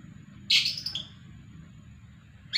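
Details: Lovebird calling, eager to mate after its female was separated and it was left free on its own: one loud, harsh, shrill screech lasting about half a second, then a short quieter chirp and a fresh screech starting at the end, over a low background hum.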